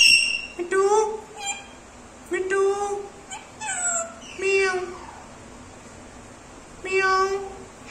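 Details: Indian ringneck parakeet kept as a pet, speaking its own name and copying a cat's meow; nasal, harmonic word-like calls, several with falling tails, in four main bursts separated by pauses, music faint behind.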